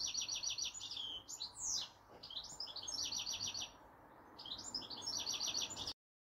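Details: Garden goldfinch perched in a cherry tree, delivering a rapid, high-pitched twittering song of repeated tinkling notes and short buzzy trills, briefly pausing midway before resuming, then cutting off abruptly near the end.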